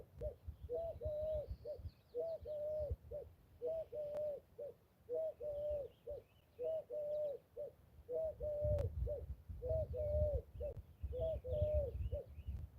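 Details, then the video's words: A ringneck dove near a river bridge during trout fishing gives low, hollow three-part coos, repeated steadily every second or two, over a rumble of wind and handling noise. "That bird you just heard was a ringneck dove,"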